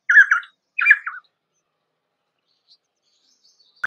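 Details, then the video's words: Painted spurfowl from the rocky hill and scrub forests of peninsular India, giving two quick bursts of harsh, chirping notes in succession, each about half a second long, followed by near silence and a faint click at the end. "Painted Spurfowl Sound - Painted Spurfowl Singing - Painted Spurfowl Call - Painted Spurfowl Voice"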